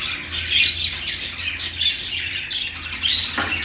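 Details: Parakeet chirping, a budgerigar from Australia, with rapid bright twittering and scratchy warbled notes, one clear whistled peep near the middle, and a steady low hum in the room.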